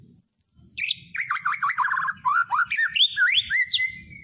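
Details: White-rumped shama, tropical forest: a thin high note, then a dense, fast warble of wavering whistles and a short buzzy trill, closing with a long level whistle, above soft low knocking.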